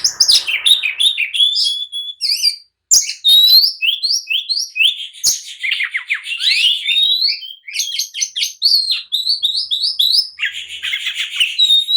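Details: Agitated oriental magpie-robin singing to provoke others into replying and fighting: a dense, almost unbroken stream of rapid whistled and buzzy notes, mostly high-pitched, with one short pause.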